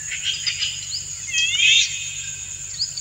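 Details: Courtship song of a male Indian golden oriole directed at a female dancing to it; a rich rising, layered note swells midway, with short chirps around it and constant high insect buzzing behind.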